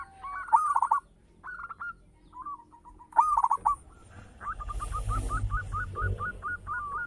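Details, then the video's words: Local zebra dove with a big, rich voice, giving trilled cooing phrases, then a long steady series of evenly repeated short coos over a swelling hiss and low rumble. "Perkutut lokal gacor - SUARA BESAR MEWAH"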